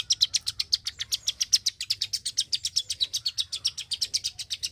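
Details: Very vocal klik-klik bird delivering fast, high, dry clicks in an unbroken run, roughly eight per second, slightly uneven in spacing, with a soft low rumble underneath.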